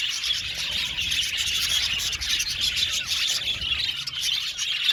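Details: A budgerigar colony in an aviary chatters nonstop, a dense wash of high, warbling chirps and twitters overlapping throughout with no pauses.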